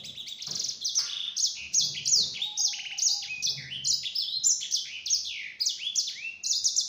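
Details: Lure song of a yellow-fronted canary, meant to make rival birds reply: a continuous, fast run of high, sliding chirps and rolling trills without a break, plus a soft, brief hum in the background.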